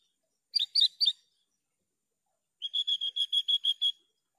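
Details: Javan bush lark uttering a quick burst of four rich chirps, then after a pause a steady even series of about ten identical short tonal notes, evenly spaced. Clean, quiet surroundings.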